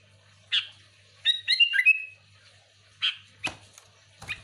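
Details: Sooty-headed bulbul, a recording for luring other bulbuls: a single chirp, a quick phrase of liquid whistles, then scattered short sharp notes and clicks over a low hum.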